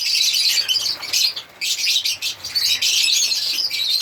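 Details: African lovebirds give a continuous high-pitched twitter of squeaks and chirps, dipping for a moment midway before the dense chatter carries on.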